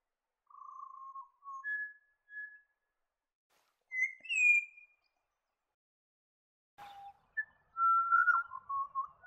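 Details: Pied butcherbird in wooded ridge country of the New England region, northern NSW, Australia, singing clear, flute-like whistled phrases that slide and step between low and high notes, in short bursts with pauses.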